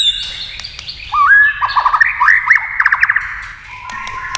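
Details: White-rumped shama answering a TV in a singing duel: a rising whistle, then rapid slurred notes ending in a fast string of repeated chirps, followed by a quieter trailing whistle.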